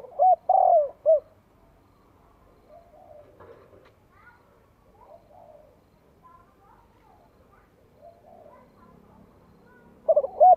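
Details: A spotted dove sings to provoke wild rival birds. One full low cooing phrase with a stuttering start and a drawn, falling middle note opens the recording, followed by a long quiet stretch and the start of another phrase.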